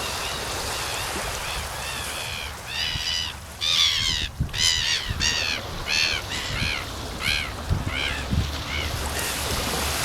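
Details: A Hudsonian Godwit, a migrant stopping to rest and feed at the Río Gallegos estuary, Santa Cruz, Patagonia, Argentina, on 20 September 2020, gives about a dozen nasal, arched calls, roughly two per second, over steady wind or surf.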